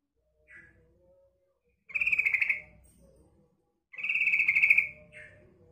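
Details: A female sooty-headed bulbul lures males with two harsh, pulsed chatters about two seconds apart, each followed by a brief soft note, and one faint short note at the start.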